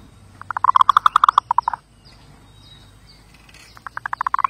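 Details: Zebra dove song: a rapid burst of about fifteen short staccato cooing notes lasting over a second, a pause with faint high chirps from other birds, then a second burst begins.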